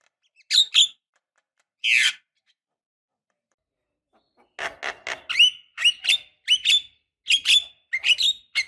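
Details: A female Javan myna calling a male, used as a lure to prompt singing: two raspy notes, a pause, then a lively stream of harsh, rising whistled and buzzy notes.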